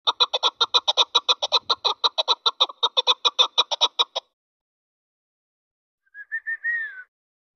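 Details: Hunting decoy chukar partridge calling: a fast, steady run of about twenty-five clucking chuck notes over four seconds, then silence and a short, rising-then-falling whistled note at the end.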